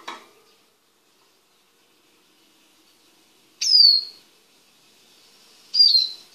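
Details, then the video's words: Male Eurasian siskin kept in a small cage before mating gives two separate, high, clear whistles that slide downward, about two seconds apart, with near silence before and between them. "Carduelis Spinus Song"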